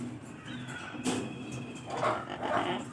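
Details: A turquoise-fronted (blue-fronted) amazon (Amazona aestiva) gives harsh, raspy squawks in short bursts, one sharp and two rougher, with a low murmur of voices underneath.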